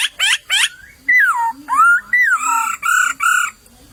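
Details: White-crested laughingthrush in a bamboo thicket in the wild, giving three harsh chatter notes, then sweeping whistles that fall and rise, closing with repeated steady mellow hoots over a faint low hum.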